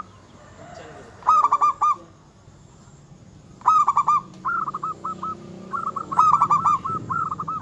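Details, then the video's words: Zebra dove of local stock singing vigorously, a song claimed to anger rivals and raise their mating drive: short rattling coo bursts followed by longer runs of soft, evenly spaced hooting notes. "Suara kutut lokal gacor yang bikin emosi lawan ahlinya menaikkan birahi lawan"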